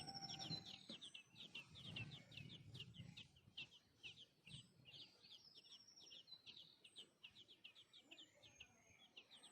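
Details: A sparrow with a small chick crying for food: rapid, high begging chirps, several every second in an insistent, uneven stream, with low rumbling thumps and background noise.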